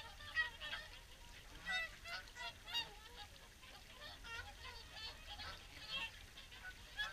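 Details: Swans at the evening feed, WWT Caerlaverock, many birds honking together in a continuous murmur, with a few louder trumpeting notes standing out.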